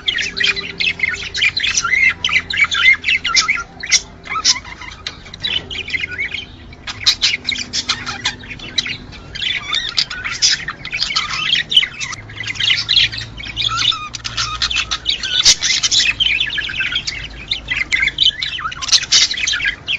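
Budgerigars chatter nonstop in busy, scratchy warbles and squawks, a flock sound used to bring pairs into breeding.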